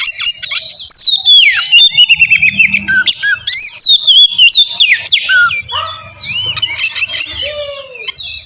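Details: Oriental magpie-robin, kacer, lure song meant to make a young bird answer: loud, dense varied phrases of descending whistled slurs, harsh squawky notes and clicks at a fast pace, ending in quieter downward whistles.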